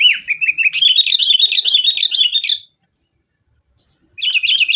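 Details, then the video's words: Sooty-headed bulbul singing as a lure for caged birds: a long rapid chattering run of high warbled notes lasting over two seconds, a pause, then another fast chattering burst. "kutilang gacor TARUNG buat pancingan kutilang agar bunyi jadikan burung kutilang gacor"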